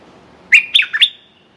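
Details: Decoy red-whiskered bulbul calling to draw in a territorial wild male: one short phrase of three or four liquid, chirpy whistles with a dipping middle note, clear against near silence.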